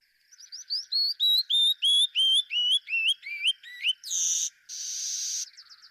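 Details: Classic song of a male Canyon Wren (Catherpes mexicanus): a cascade of about a dozen clear whistles tumbling down the scale and speeding slightly, ending in two harsh, buzzy rasps.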